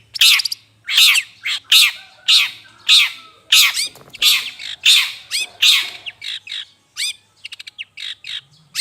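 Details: Long-tailed shrike calling for luring birds: steady harsh squawks about every half second, followed near the end by a rapid series of short dry clicks and ticks.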